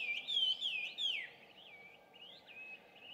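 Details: Introduced Chinese hwamei in Japan, at 5:30 am on 2 June 2019. It sings daily at dawn and around 17:30 alongside other birds. Loud, rich, slurred whistles rise and fall in quick phrases, then softer whistled notes follow over a faint hum.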